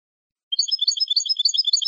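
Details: Saffron finch singing in the jilguero campero style, a recording made to train captive birds: half a second of silence, then a rapid, rolling twitter of high, slightly buzzy notes repeated without pause.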